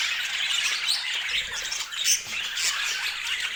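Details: Chattering pet budgerigars in bright colors, giving a busy stream of high, raspy chirps and squeaky squawks layered over one another, with a few sharper peaks standing out.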